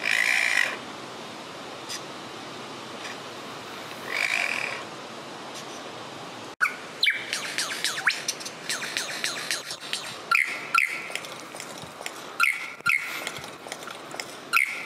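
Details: Superb lyrebird song: two buzzy, hissing bursts with a quiet gap between them, then a fast, varied run of sharp ringing notes, clicks and sweeping whistles in irregular bursts.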